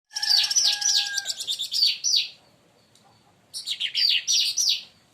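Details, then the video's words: Leafbird, locally called cucak ranting or cica daun, singing loudly and agitated after being provoked by another bird: dense, high, chattering bursts with steady whistled tones at the start, a short pause, then another rapid chattering phrase. "cucak Ranti bahan auto esmosi||dipancing Burung ini"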